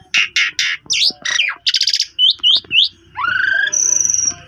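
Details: Asian pied starling song meant to draw a quiet starling into song: harsh squeaky notes, a buzzy rattle, three looping whistled chirps and a long rising whistle, over faint low background hum.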